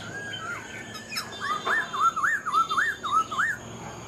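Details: Black-throated laughingthrush, a caged, mature wild-caught bird, singing well with a fine voice: a run of about six clear, looping whistled notes, each rising then falling, delivered evenly about three per second after a few softer opening whistles.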